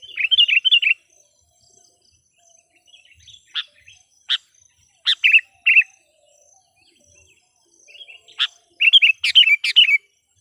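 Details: Sooty-headed bulbul used as a decoy to attract wild birds: a bubbling warbled phrase, isolated sharp clicks and short chirps, then a dense final flurry of bright, tumbling notes.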